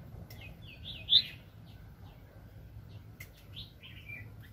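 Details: Red-whiskered bulbul during 2020 trapping with a decoy bird: a rapid, bubbling warbled phrase peaking sharply, then softer chirps and a slurred note trailing off, faint low hum underneath.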